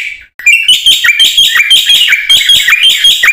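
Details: Black-winged myna in full, energetic song, used as a lure to prompt silent mynas to sing: after a brief pause, a dense run of loud, harsh chattering notes with short whistled slurs, repeated rapidly and evenly.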